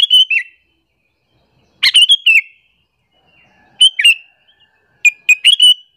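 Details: Sooty-headed bulbul calling to lure other bulbuls and rile them up: four cheerful chirping phrases of two to four fast notes each, spaced irregularly roughly every one to two seconds, with a clean quiet background.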